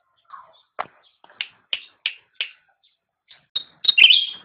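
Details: Cucak rante training song: a series of separate sharp high chips roughly every third of a second, building into a loud, fuller warbled phrase at the end.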